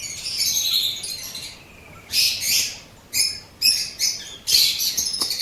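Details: Blue opaline and parblue opaline lovebirds kept as pets in Pakistan: high, thin, squeaky chirps in short bursts with gaps between them, over a faint background hiss.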